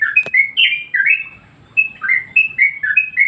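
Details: Yellow-vented bulbul song used as a master recording to train and provoke other birds: bright, bubbly whistled notes sliding between two pitches in short phrases, with a brief pause mid-clip and one sharp click near the start.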